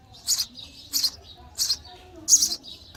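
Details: Sparrow young begging in the nest while fed, four loud, high, squeaky chirps within three seconds, each brief burst followed by a softer trailing note.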